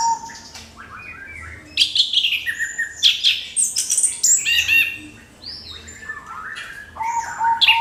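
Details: Orange-headed thrush singing a crystal-clear lure song meant to provoke other birds into singing: a fast, varied run of high whistles, buzzy slurs and sharp chirps, with a brief pause mid-phrase before a sustained whistled note at the end.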